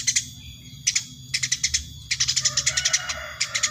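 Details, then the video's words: Eurasian tree sparrow, very tame, giving clusters of quick high chirps in short bursts, the last burst longest, over a faint lower tone. "burung gereja gacor super jinak"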